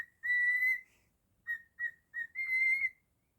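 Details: Cockatiel, a pet, whistling Jingle Bells its own way: a long smooth held note, a pause, two short notes, then another sustained pure tone.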